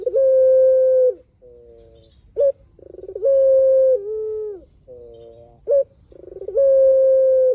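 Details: Barbary dove (puter) singing its long song over and over. Sustained level coos lasting about a second alternate with softer wavering notes, short sharp accents and rolling burrs, with a faint low background.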